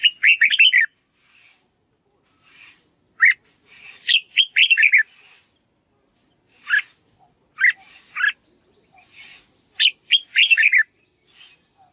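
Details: Red-whiskered bulbul singing a training song meant to teach white-cheeked birds its voice: bright, quick whistled phrases of rising and falling notes in clusters every second or two, separated by soft hissing bursts.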